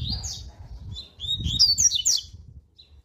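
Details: Coleiro (double-collared seedeater) warm-up song in the fast, strong 'tui tui' style, used for song tutoring: brief burst of high, sharp whistled and buzzy notes climbing and tumbling, over a low rumbling background.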